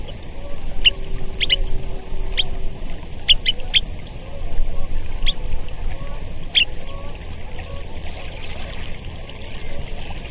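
Semipalmated Sandpiper giving short, sharp, high chirps at irregular intervals, sometimes in quick pairs, over a steady low rumble of wind or surf.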